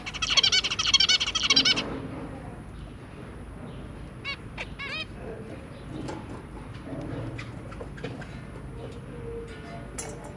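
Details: Zebra finch adults and three babies, 23 January 2022: an opening burst of dense, rapid nasal chattering for nearly two seconds, then sparse, fainter single calls with low background hum.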